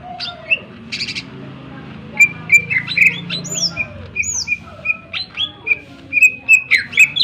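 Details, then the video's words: Greater green leafbird, its sharp song used to provoke other birds: scattered soft notes, then a lively mix of upswept whistles, clear repeated notes and chattering phrases growing louder toward the end. "cucak ijo gacor full suara tajam cocok untuk pancingan agar burung gacor dan emosi"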